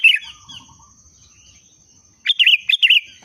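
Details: Breeding-condition kutilang (sooty-headed bulbul) giving 'pendongkrak' song: a bubbly note at the start, a long quiet gap, then a lively phrase of several quick warbled whistles, over a faint continuous high whine.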